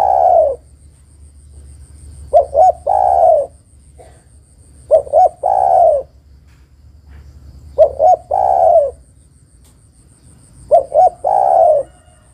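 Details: Female spotted dove calling to a male, used as a lure: a long coo, then four repeated phrases of two quick coos and a drawn-out rolling coo, spaced about three seconds apart.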